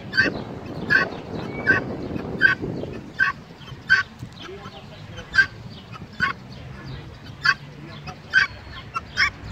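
Guineafowl give harsh, clipped shrieking calls, roughly one every three-quarters of a second, with low rumbling background noise early on.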